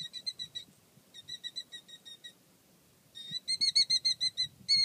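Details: A male Killdeer, more protective than the calm female, calls in quick bursts of shrill, high, piping notes, about three a second, over a faint low rumble.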